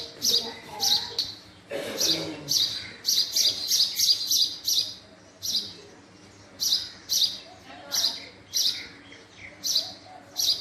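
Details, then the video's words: Male house sparrow calling: loud, bright chirps repeated in quick runs of two to five, with a brief pause near the middle and a faint low murmur underneath. "Male Sparrow Sound | Male Sparrow Call | Sparrow Sound Effect | Call Of Male House Sparrow"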